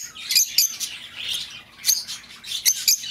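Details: Lovebird sounds for recalling an escaped bird: high, thin chirps and scratchy squeaks, several sharp clicks, with a louder cluster near the end.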